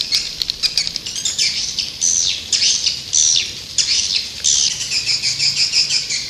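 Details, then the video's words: Lure call for attracting white-nest swiftlets: high, squeaky chirps with thin whistled overtones, grouped into irregular chattering bursts that speed up toward the end. "Suara Panggil burung walet"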